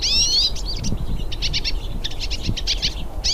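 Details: Several hooded siskins singing in nature: a dense, rapid twittering of high chirps and sweeping whistled notes, packed tightly over a steady low background rumble.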